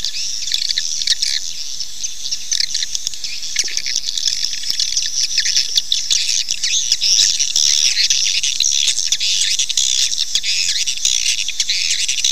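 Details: Swiftlets' call played to lure the birds into nesting: a dense, unbroken chorus of shrill, high twittering chirps from many birds, overlapping without pause for the whole twelve seconds, with no other sounds.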